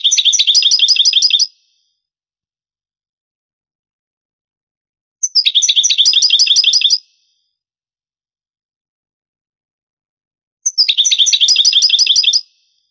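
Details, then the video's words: Goldfinch song of the Granada style from a vintage 1980s–90s Spanish tape: three separate phrases, each about two seconds of fast, bright, repeated notes, delivered roughly every five seconds with silence between. "CANTO DEL JILGUERO"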